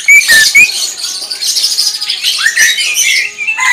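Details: Short burst of greater green leafbird 'tembakan' song: two sharp loud whistled notes at the start, then a steady wash of high twittering with a rising slur near the end.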